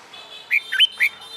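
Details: Caged red-whiskered bulbul in training for fighting song gives three quick, clear whistled notes, the middle one rising sharply, over a faint steady tone.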